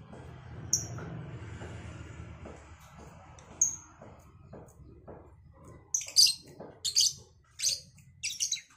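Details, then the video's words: Cobalt and Batman lovebirds trading calls in the morning. A few thin whistled notes are followed by a rapid run of sharp, grating shrieks in the last seconds over constant low hum. "Saling Saut Burung Lovebird Cobalt X Batman"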